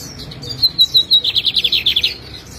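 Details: Lined seedeater kept by an owner in Jataúba, Pernambuco, Brazil, singing: a few high whistled notes, then a rapid, even trill of about a dozen sharp notes near the same high pitch, ending abruptly.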